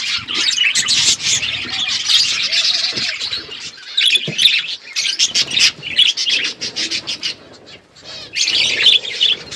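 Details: Pet budgies on a winter morning keep up lively, high-pitched chattering in bursts, with clicking notes and short lulls before the chorus resumes.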